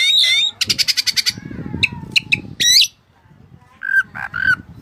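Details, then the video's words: White-breasted Oriental magpie-robin singing Cililin-style phrases: a fast string of about eight harsh rattling notes, scattered sharp chips, then lower rough whistles over a noisy low background. "Burung Kacer Gacor Isian Cililin"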